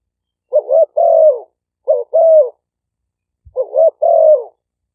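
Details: Spotted dove decoy song recorded live at several sites in Roi Et, Thailand; three evenly spaced phrases, each a short bouncy double note followed by a longer, smooth, gently descending coo.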